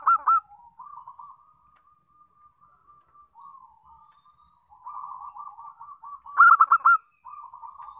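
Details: Local zebra dove singing as a lure for other doves. A loud burst of ringing notes opens, then a long stretch of soft, rolling, trilled cooing. A second loud burst of four or five notes comes near the end.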